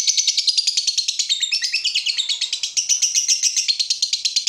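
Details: Lovebird singing continuously to rouse other lovebirds: an unbroken, rapid, rattling chatter of high scratchy notes, about ten per second, running steadily for over four seconds.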